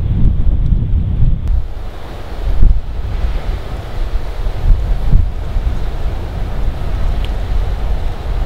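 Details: Strong wind buffeting the microphone over rumbling surf in Hawaii, with no animal calls.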